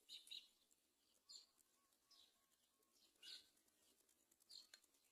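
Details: Great myna chick about to fall from its nest while the mother does not help it; short, high, scratchy chirps in bursts roughly every second, fairly faint, over a quiet background.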